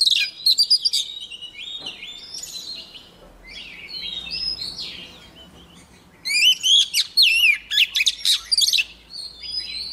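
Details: Female white-rumped shama song used to incite caged males; loud quick chips and whistles open, a softer warbled stretch follows, then a strong burst of rapid sharp notes and slurs.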